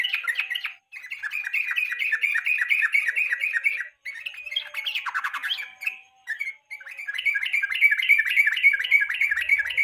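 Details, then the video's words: Yellow-vented bulbul, evening song used as a master for national contests: long runs of rapid, evenly repeated chirping notes, around three to four per second, with brief gaps. "KICAU PANCINGAN BURUNG TRUCUK SORE HARI"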